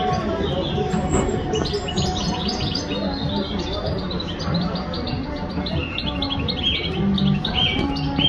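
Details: Song thrush in Tashkent, 22 February 2022, sings short, clear whistled phrases that shift in pitch over a steady low rumble of background noise.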